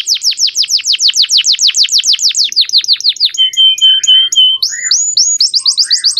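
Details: Tutor song of a male canary, sung clearly for training young birds. A rapid, rhythmic trill of sharp downslurred notes gives way to steady held whistles and short bright phrases.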